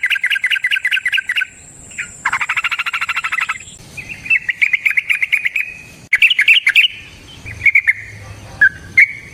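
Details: Yellow-vented bulbul in long 'ropel' song, used as a lure for other bulbuls: fast stuttering chatter, then a dense buzzy trill and a run of even notes, ending in scattered bright chirps over a faint high whine.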